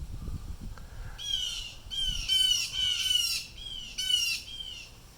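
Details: At least three blue jays giving harsh distress calls outdoors, reacting to some unseen disturbance; a run of loud, raspy squawks with rich harmonics, each about half a second long, repeated in close succession, with low rumbling background noise.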